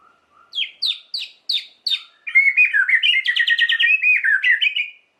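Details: White-rumped shama song, used as a lure to provoke other shamas into singing: five sharp downslurred whistles, then a fast, rich warbling run of rapid notes.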